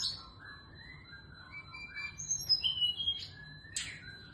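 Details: Female SRDC singing in the morning: soft, lower whistled slurs lead into louder high thin whistles and a sharp buzzy note, fairly quiet overall.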